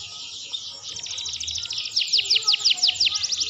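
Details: Canary in full, vigorous song, used as a training recording for other birds: a dense, high rolling trill that swells in loudness, with bright downward-sweeping notes repeated about three times a second near the end.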